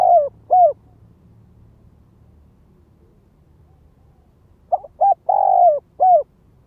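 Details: Lure spotted dove calling from the ground to stir up wild birds: the end of one phrase with two falling hoots, a quiet gap of about four seconds, then a full phrase of short notes, a long wavering coo and a clipped ending note.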